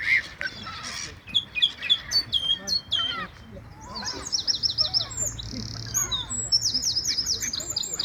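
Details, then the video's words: Seagulls fighting over food: a dense squabble of overlapping shrill, clipped cries and quick rising squeals, with bursts of rapid repeated harsh notes over the last four seconds and a low hum underneath. "Seagulls Fighting Over Food and Making Noises"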